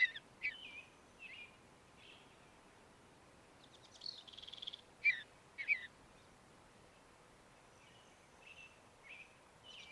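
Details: Mountain bluebird giving sparse, fairly quiet calls: a few thin whistled chirps at the start, a brief buzzy burst around four seconds followed by two sharp bright notes, then faint scattered chirps.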